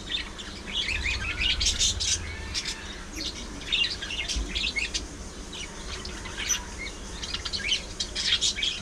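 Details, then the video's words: A flock of budgies, lively parakeets that play, fight and groom one another, keeps up a continuous high twittering chatter of quick chirps, squeaks and scratchy warbles, with a soft low rumble beneath. "Budgies Being Budgies: Non-Stop Fun, Fights, Love & Chirpy Chaos!"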